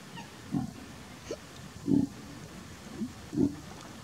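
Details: Black-headed ibis at Keoladeo National Park giving low, hoarse grunts, about five in four seconds at an uneven pace, with a faint hiss behind.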